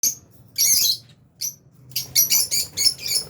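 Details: Flock of albino and Fisher's lovebirds in an aviary, around meal time: bursts of shrill, harsh, high chirps, one long burst early, then a quick run of five or six sharp chirps toward the end.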